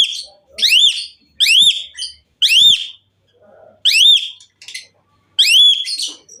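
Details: Lively song of an Asian pied myna: strong rising-and-falling whistled notes with ringing harmonics, often paired in quick succession, separated by short silences and a few faint chatters.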